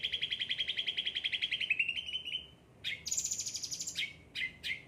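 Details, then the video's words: Cucak ranting kept under attentive care sings a fast trill that slowly drops in pitch, pauses, then gives high buzzy trilled bursts and short upward-sweeping notes. "gacor cucak ranting"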